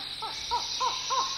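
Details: Collared forest falcon heard from deep within forest at Chan Chich in the Belize jungle, giving a quick series of five hollow, arched notes about a third of a second apart, backed by a continuous insect drone.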